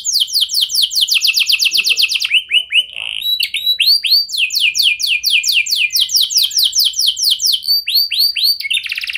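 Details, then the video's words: Canary lure song to stir other canaries: series of fast down-sweeping notes, a brief lower warbling interlude, then more rapid sweeping phrases and a buzzy ending, loud and clear. "99,99% Pasti Kenari Lain Langsung Respon Dengan Pancingan Kenari Gacor Lagu Istimewa Ini"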